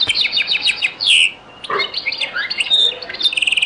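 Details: Goldfinch song in the Beni Messous 'les avocats' (zaboka) style from an old recording: rapid repeated chirps, a loud buzzy note, a short gap, then varied twittering ending in quick repeated trills.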